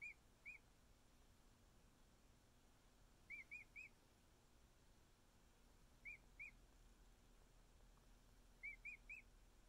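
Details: Young emu chick, just over a week old, being cuddled by its keepers: bursts of two or three high, clear, arched whistle notes every few seconds, about ten chirps in all over a soft background hiss.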